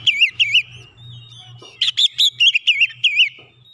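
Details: Oriental magpie-robin answering a rival's lure song, agitated and pouring out its learned filler material: bursts of bright whistled notes, each rising then dipping, grouped in two short runs with a pause between them, over a faint low hum.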